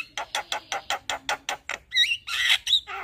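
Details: Javan myna singing vigorously in a full, varied song: a run of nine harsh, buzzy bursts about every fifth of a second, then twisting whistled notes and a scratchy burst.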